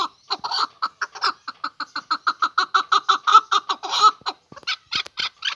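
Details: Male chukar partridge calling: a fast run of harsh, clucking chuk notes, about four per second, loud and steady, then a few looser, more scattered notes at the end.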